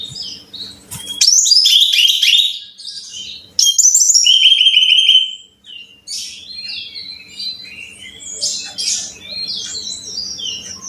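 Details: Brown-chested jungle flycatcher song played as training material for caged birds: loud bursts of sweet whistles falling in pitch, then quieter varied twittering notes, over a steady faint low hum throughout.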